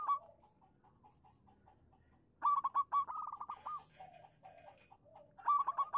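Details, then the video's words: Zebra dove of a local strain singing as a lure for doves that have stopped: a soft run of spaced coos, then a loud stuttering whistled phrase with quick trills, softer low coos, and a final loud burst. "suara burung perkutut lokal manggung pancingan cepat nyaut untuk perkutut macet bunyi"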